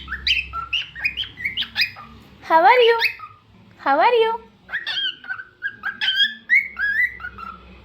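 A cockatiel sings a quick run of bright chirps and short rising whistles, broken by two louder, swooping, chattering phrases in the middle.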